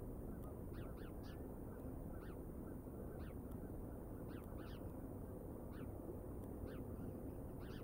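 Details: Bald eagles filmed by a live nature camera on 31 August 2022 in the evening: repeated short, high, slurred chirps in small clusters throughout, half-buried under constant low-pitched background roar.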